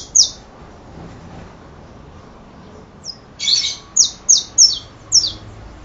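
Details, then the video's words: Saffron finch (canario da terra): a single high chip, a pause of almost three seconds, then a burst of bright, falling, slightly buzzy notes repeated quickly, roughly three per second. "Canario da terra"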